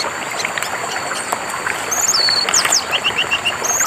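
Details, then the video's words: Orange-headed thrush singing over running water, meant as therapy for birds gone quiet: thin high whistles and sharp downslurred notes in the second half, ending in a rapid series of short repeated chirps. "TERAPI BURUNG MACET DENGAN SUARA AIR DAN KICAU ANIS MERAH"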